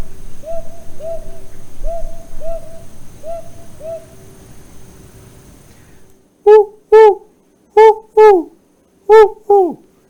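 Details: A Brown Hawk-Owl gives its territorial "I live here" call: mellow, slightly rising hoots in quick pairs, three doubles about a second apart, after softer repeated notes, over faint room hum.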